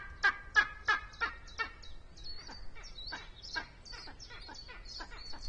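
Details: Pair of Spanish imperial eagles calling as they arrive at a black vulture nest on a pine, webcam in Sierra de Guadarrama National Park, Spain; loud rasping barks in quick series, fading to softer repeated notes, small birds chirping high above.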